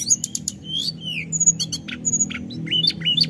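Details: Snowy-browed flycatcher, locally tledekan gunung, giving scattered high chips, thin level whistles and short slurred notes with brief pauses, over a low steady hum.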